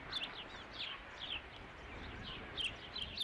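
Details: Osprey at the Dunrovin Ranch nest on 3 July 2016, during the fifth fish delivery; scattered high, sharp chirps come in short bursts over a steady hiss of outdoor background noise.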